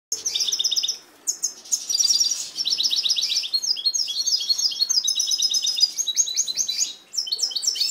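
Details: A captive-bred European goldfinch sings a continuous, rapid tumble of high, tinkling twitters and liquid trills with buzzy notes mixed in, barely pausing across the clip.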